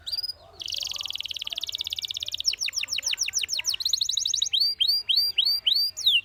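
A canary sings a varied song: a fast buzzy trill, then rapid chopped notes, ending in a string of down-slurred whistled 'tyoo' phrases about twice a second.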